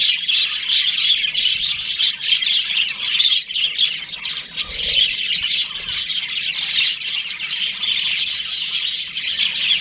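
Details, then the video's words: Breeding-season budgies in a colony keep up a long, lively chorus of shrill chirps, warbling runs and harsh squawks, densely layered and steady throughout. "Cute budgies chirping sounds | beautiful budgies breeding season"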